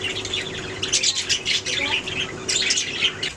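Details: Budgerigars keep up a dense, scratchy chatter of high squawks and warbled notes, with a steady low hum running underneath.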